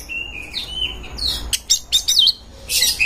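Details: Oriental magpie-robin singing as it seeks a rival to fight: clear whistled notes held level, then a burst of sharp chirps, rising and falling slurred whistles, and a bright high flourish at the end, over a faint low hum.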